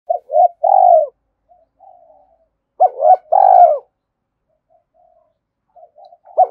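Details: Spotted dove cooing as a lure to rouse decoy birds: two loud phrases, each of short hooting notes ending in a longer drawn-out coo, with soft low murmuring between them.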